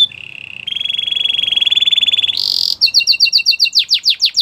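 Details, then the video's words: Belgian canary producing a long buzzy trill that steps up in pitch, then a burst of rapid paired high notes and swooping downslurred whistles. "Do this and your belgian canary will sing a lot!! The best canary song"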